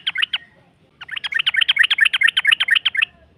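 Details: Yellow-vented bulbul in a lure recording meant to provoke a rival into answering, long rapid 'ropel' style: a brief burst of chirps, a pause, then a fast unbroken run of bubbly notes for about two seconds.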